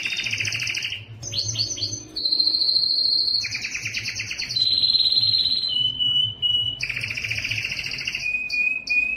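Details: Singing yellow canary alternating high buzzy trills, rapid chip runs and steady whistled notes at changing pitches, each phrase lasting one to two seconds, with a soft low hum behind.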